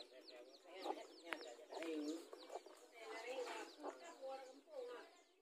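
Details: Mother chickens facing each other over territory in a garden where newly hatched chicks play: short, mid-pitched clucks and nasal notes in irregular bursts, with faint high chick peeping behind.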